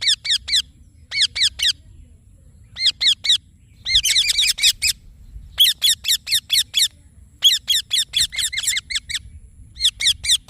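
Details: Green Indian ringneck parakeet giving rapid bursts of sharp, high chirps, each burst four to eight notes, with short silent gaps and a longer, denser run near the middle; no other clear sounds.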